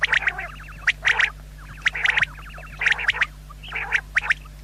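Common quail giving sharp, clipped notes in bursts of two or three, about once a second, with a low electrical hum underneath.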